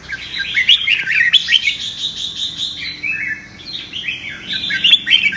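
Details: Red-whiskered bulbul fighting song played to train birds for competitive singing; bright warbled phrases between mid and high pitch, quick slurred notes run together with brief pauses, several overlapping voices, constant through the clip.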